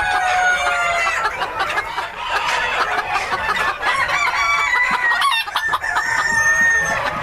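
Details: Breeder flock of Crele Old English Game Bantam chickens; overlapping clucks and drawn-out calls from several birds, with a rooster-like crow, forming a continuous noisy chorus.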